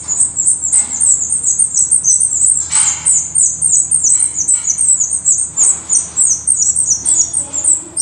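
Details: Dense, loud, high-pitched chirping repeated several times a second at a black redstart nest in Portugal, with occasional brief scratchy noises.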